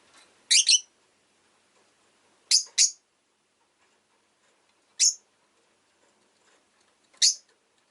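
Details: Rosy-faced lovebird kept as a pet chirping in spaced bursts: doubled shrill tweets, then single piercing chirps, each roughly two seconds apart, with silence between.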